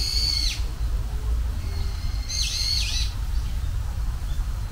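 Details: A Japanese bush warbler, the first heard this spring, gives two clear high whistled phrases about two seconds apart, each a held note ending in a quick dipping flourish, over a steady low rumble.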